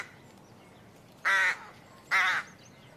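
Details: Bird calling with two loud harsh, rasping notes about a second apart over a low background hum.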